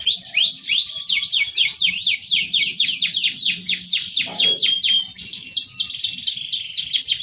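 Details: Canary in full cengkok mewah song: steep downward-sweeping notes repeated steadily, then brighter rising whistles and a rolling fast trill near the end, with a brief low sound partway through.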